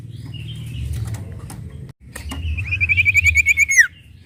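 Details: A sooty-headed bulbul, or sirtu, sings to provoke other birds: after a stretch of low rumbling and knocks comes a short faint whistle, then an accelerating buzzy trill that ends in a falling slur.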